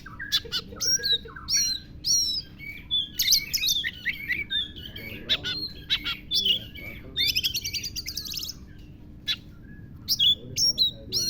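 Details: Oriental magpie-robin performing a song filled with lovebird imitation: a long varied stream of squeaky chirps, whistled slurs and fast harsh rattling trills, dense and continuous, over a soft low hum.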